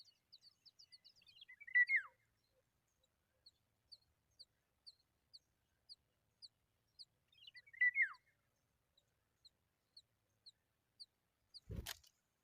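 Familiar chat nestlings beg with thin, high chips about twice a second, broken twice by a louder, harsh, falling burst. A sharp knock sounds at the end.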